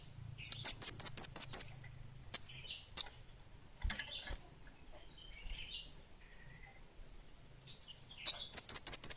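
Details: Orange-headed thrush (kemade bunga api) in lively song: a rapid burst of six or seven piercing high whistles, a few scattered sharp chips in a quiet middle stretch, then another fast high run at the end.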